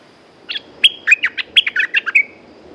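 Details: Caged red-whiskered bulbul, described as a lively lure-song singer, giving one quick phrase of about ten clipped, bright notes, whistled and slurred between high and mid pitch, ending in a short trill, with quiet background.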